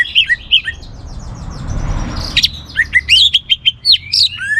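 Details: Orange-headed thrush song, used to spur other birds to sing: a few sharp chirps, a short hushed noisy gap, then a lively string of varied slurred whistles and high chirps.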